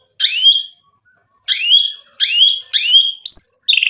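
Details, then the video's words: White-rumped shama sound meant as a lure to rile other shamas into answering and singing their full repertoire: harsh, bright downward-sweeping notes given singly, then three in quick succession, ending in a high whistle and a buzzy note. "MURAI BATU GACOR bikin EMOSI jadi NYAUT BUNYI AMPUH buat PANCINGAN biar BONGKAR ISIAN"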